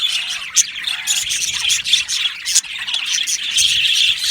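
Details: Happy budgerigars in an aviary colony chirping together: a dense, continuous chatter of high, scratchy twitters and squawks, with a few clearer warbled notes rising above the busy chorus.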